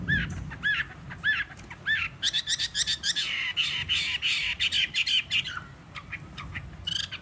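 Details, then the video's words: Fighting Chinese hwamei, wild-caught and three seasons in a cage, singing on a table, voice slightly hoarse: looping upswept whistles, then a dense, buzzy, warbling stretch of quick repeated notes and a few closing whistled phrases. "Họa mi chiến 3 mùa lồng hót để bàn"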